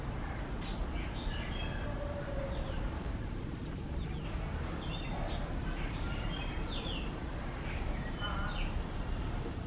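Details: Wild white-rumped munias at a bird feeder in Kerala: thin, high, short chirps scattered irregularly, some slurred downward, over constant low background rumble.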